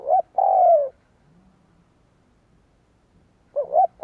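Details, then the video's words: Decoy spotted dove cooing to lure wild doves: the clip opens on a short coo and a long, low, falling note, then after a pause of nearly three seconds a new rising double coo begins. "Tiếng cu gáy kích bổi cực nhạy / CU gáy thúc gù gáy đủ bài kích bổi cực nhạy"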